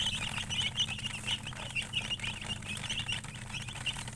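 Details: Colored chickens, called murgi, chirping: a dense, continuous chorus of short, high peeps overlapping from many birds, with a steady low hum underneath throughout.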